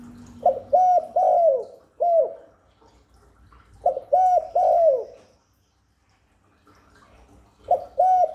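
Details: Low, hollow cooing from a spotted dove meant to draw wild doves in and stimulate newly kept birds: repeated phrases of short notes then a longer falling coo, with a brief steady tone at the start.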